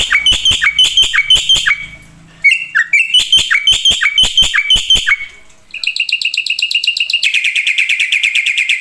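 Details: Black-winged myna singing gacor, vigorous and full of isian filler phrases: bursts of sharp chirps with quick down-slurred notes, a short pause, then a long run of rapid, even, metallic trills.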